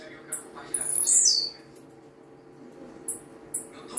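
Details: Blue-black grassquit singing a lot: a single sharp, buzzy phrase dropping from very high pitch, followed by a few brief high ticks in a quiet setting with a faint hum.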